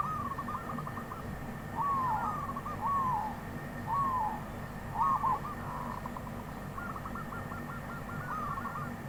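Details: Wild zebra dove singing: rapid, stuttering low coos in short rolling bursts. Some phrases overlap and run on, set against a steady low background hum.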